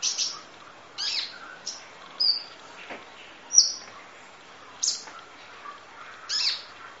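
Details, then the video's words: Long masteran recording of a kolibri ninja sunbird in full 'isian nembak' song: spaced, emphatic high notes roughly once a second, mixing buzzy chirps with clear thin whistles. "Audio Master Masteran Kolibri Ninja Full Isian Nembak Durasi Panjang Kicau Burung"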